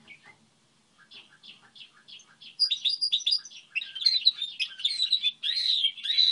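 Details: Goldfinch hybrid song model: soft spaced chirps swell into a loud continuous twittering warble with buzzy trills and high whistled notes.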